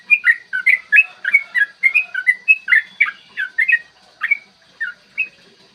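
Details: Yellow-vented bulbul in a fighting mood, giving the long rapid song used to provoke other bulbuls into singing, recorded in the morning: bubbly, slurred whistled notes tumbling up and down, delivered in quick bursts that thin out toward the end.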